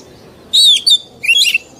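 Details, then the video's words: Oriental magpie-robin, an old wild-caught bird, uttering two quick bursts of warbled, slurred whistles with harsh overtones; used for training young birds. "Tiếng Chòe Than Già Rừng CHUẨN HAY DÙNG ép luyện giọng Chim Non"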